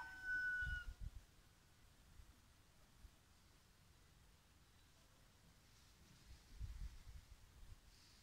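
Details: A green peafowl (Pavo muticus muticus) on a peacock farm gives one brief, loud, harmonic call at the start, then low thumps and background rumble.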